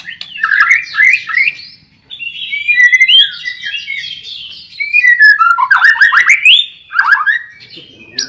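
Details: White-rumped shama singing, used to draw other shamas into song: bursts of fast, jumbled whistles and chatter separated by short pauses, in a quiet, clean background.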